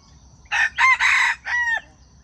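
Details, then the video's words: Jungle chicken crow used as a lure for trapping wild chickens: three loud, hoarse syllables run together, followed by a shorter falling final note, over a faint high insect drone. "Wild chicken traps are fascinated by the sound of chickens crowing."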